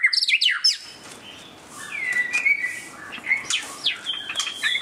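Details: White-rumped shama in display, giving a brief burst of sharp descending notes followed by long, smooth whistles that hold steady and then slide, with faint chips between.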